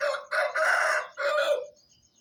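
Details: Dawn crowing from an Aseel rooster near 4:30 am: a hoarse, drawn-out cock-a-doodle-doo in three connected phrases, the final one sliding down and fading, crickets pulsing quietly in the background.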